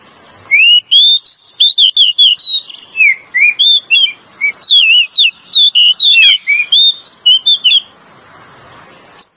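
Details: Oriental magpie-robin pair, male and female, sings a lure song: a long continuous run of quick, bouncing whistled notes with wavering pitch and clicks, ending after a pause with one short high whistle.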